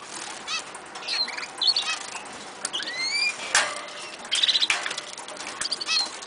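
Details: Eurasian siskins kept in an aviary give thin, rising, drawn-out whistles mixed with short high chirps and twitters, with some rustling and clicks between notes.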